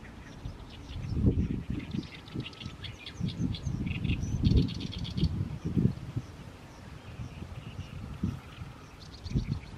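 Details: Oriental reed warbler in mid-May, singing continuously at sunset from a fallow field. Scattered harsh chirps build into buzzy, rasping phrases. A low rumble of wind or handling thumps runs underneath throughout.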